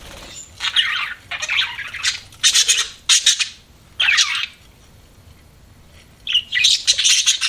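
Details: Budgerigar chirping in short squawky bursts and chattering phrases, separated by brief silent gaps, with a quiet pause before a final burst of rapid chirps.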